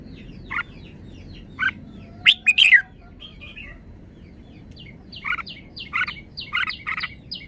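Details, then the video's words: Red-whiskered bulbul with a well-phrased song: a bright burst of rapid whistled notes near the middle. Scattered shorter chirps come before and after, with a continual background of other birds chirping. "นกกรงหัวจุก จ้าวมาดี สำนวนดี"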